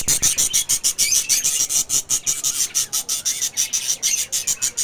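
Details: Baby lovebirds in a colony give harsh, high-pitched chirping calls in a fast, fairly steady series of about three per second.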